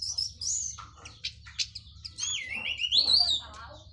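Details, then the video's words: Orange-headed thrush from Cililin, just finished moulting, singing in the loud open 'plong' and rambling 'teler' style: high varied whistles, slurred notes and short chirps, over a steady low hum. "KICAU ANIS MERAH PLONG + TELER LOKAL CILILIN BERES MABUNG"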